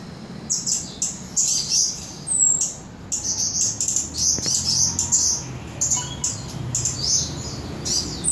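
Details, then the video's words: Singing mountain leafbird, called cabai gunung or toli-toli, recorded in Samarinda: bursts of high, bright twittering notes and quick slurred chirps separated by brief pauses, over a low steady background hum. "Cabai gunung / toli-toli"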